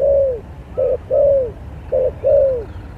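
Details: Spotted dove singing as a lure in a singing competition; low coos with a short note followed by a longer falling note, in three clear phrases over about three seconds.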